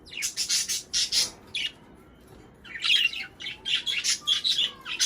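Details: Budgerigar chatter played to prompt pairing and laying: quick, high, scratchy chirps in a dense run, a brief lull, then more rapid twittering with a few thin whistles.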